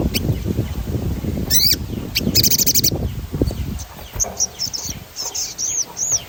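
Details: Sogon rolling stimulus song: short descending sweeps and a buzzy high trill early on, masked partly by low rumbling noise, then clear arched whistled chirps repeated toward the end.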